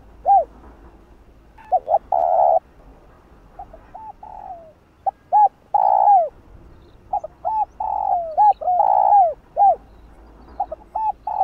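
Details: Spotted dove calling and cooing to excite other doves: scattered short hoots and longer sustained coos in irregular phrases, some notes softer and more distant, over a quiet background.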